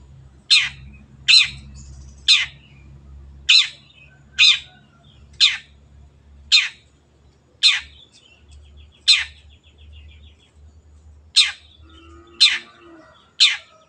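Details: Long-tailed shrike, a lively cage bird heard on a training recording: a steady series of rasping, downward-swept notes roughly every second, with brief soft twitters between and a low background hum.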